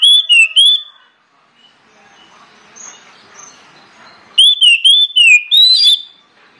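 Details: Loud, clear orange-headed thrush song used as a lure to get other birds singing: a short run of whistled notes, a quiet gap with faint background chirps, then a longer string of rich, rising and falling whistles.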